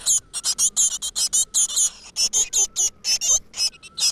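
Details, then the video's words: Several great tit chicks in a nest in a rock crevice, mother bringing food: intense, rapid, overlapping harsh hisses in a near-continuous stream. "A nest of great tit in the crevice, the mother brings food to the little bird石缝里的一窝大山雀，鸟妈妈给小鸟送回虫子"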